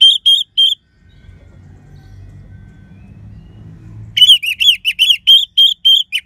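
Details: Orange-headed thrush singing vigorously in the crisp 'crystal' voice used as a lure to stir listless or silent birds: a short burst of three high chirpy notes, a quiet pause, then a fast run of about a dozen sharp, harmonic-rich notes.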